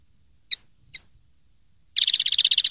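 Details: Common linnet song from a recording made for tutoring young linnets: two sharp separate chips, a pause, then a fast, buzzy, even trill that runs to the end.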